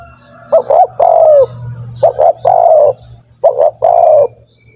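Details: Spotted dove (tekukur) lure call for training doves to call fast; three deep phrases, each a quick double hoot followed by a sustained rolling coo, with a faint low hum underneath.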